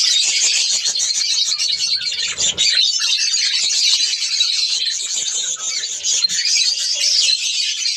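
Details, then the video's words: Budgerigars in a breeding colony aviary in Pakistan during breeding season, an unbroken wall of high chirping and chattering from many birds, steady in loudness for the whole stretch. "australian parrots budgies ke birds colony"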